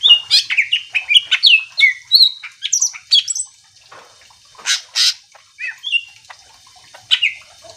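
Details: Greater green leafbird in full song, meant to provoke other leafbirds into calling back: a fast run of mixed whistled, sweeping and chattering notes, then scattered harsh bursts and a final slurred whistle.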